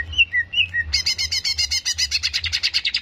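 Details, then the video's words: Greater green leafbird in a recording used to stir up aggression: a couple of whistled couplets, then a dense, buzzy rattle of rapidly repeated harmonic notes lasting two seconds. "PANCINGAN CEPAT MENAIKAN EMOSI CUCAK IJO"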